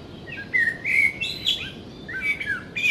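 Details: Common Blackbird song, powerful, melodious and fluty, from a garden bird: slow improvised whistled phrases around mid pitch, rising to higher, thinner notes at the end of each strophe, with faint background noise.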